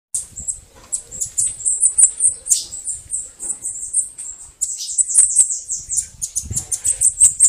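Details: Bananaquit performing a "canto de foguear" song: a fairly quiet, fast stream of very high, thin, buzzy notes, broken by a short gap midway, with faint low background noise.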